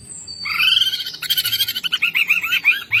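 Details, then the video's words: Greater green leafbird song: a high thin whistle, then a rising buzzy slurred note leading into a quick series of looping whistled chirps. "CUCAK IJO GACOR NGENTROK full isian"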